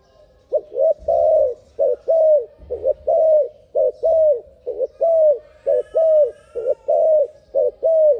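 A turtle dove gives a quick run of soft, hollow, slightly arched coos, roughly one per second at a low-middle pitch, over a faint low hum.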